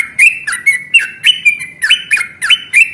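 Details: Yellow-vented bulbul, known locally as trucukan, giving a loud fighting song of long ropel chatter meant to provoke other birds into answering; quick bubbly notes tumble every third of a second, clear and dominant with a quiet background.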